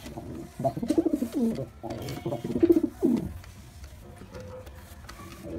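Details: Male white pigeon cooing in three close, throbbing phrases early on, each rolling downward, before falling quiet for the last few seconds apart from faint background sound.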